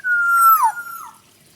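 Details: Black-naped oriole (kepodang hutan) singing in the full isian style: a single long, steady, nasal note with rich harmonics that bends downward sharply at its end, followed by a fainter, lower trailing slur.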